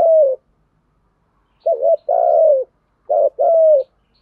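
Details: Song of male and female caged spotted doves, in the giọng Thổ and hạp bôi styles used to train cage birds. The end of one long coo, then two full phrases, each a short curled note followed by a drawn-out, slightly descending coo.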